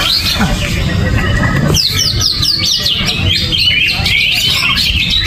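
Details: Greater green leafbird, uncovered and without banana, after a second and a half of low rumbling noise breaks into rapid loud whistled sweeps and chirps, high and tumbling, over a steady low hum.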